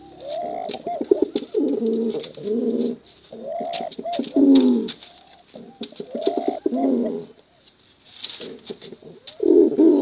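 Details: Contest cooing from male and female pigeons, intended to draw in young pigeons; repeated low rolling coos and rising-falling hoots in several bursts, with crisp tapping clicks between them.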